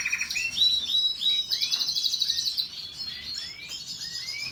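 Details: Canary singing a lively, high-pitched phrase: a run of rising whistled sweeps, then a fast buzzy trill lasting about a second, followed by more upslurred whistles spaced roughly half a second apart over faint background hiss.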